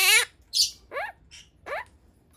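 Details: Pastel blue monk parakeet, a pet talking bird, giving five harsh squawking syllables in quick succession, some rising then falling in pitch, nasal and strongly harmonic.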